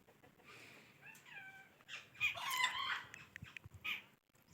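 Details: Ringneck talking parrot producing short raspy, voice-like syllables and a few thin whistled slides, in bursts separated by brief pauses, with faint background hiss.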